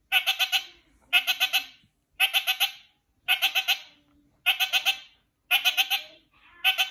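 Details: One kakariki calls to a companion bird with rapid stuttering series of four to five sharp, harsh notes, bursts spaced roughly a second apart and slightly irregular, with little else audible.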